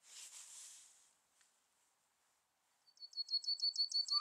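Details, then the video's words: Yellowhammer heard after a burst of rustling noise: a fast series of repeated high notes, ending in a short downward slur. "Yellowhammer song / Emberiza citrinella"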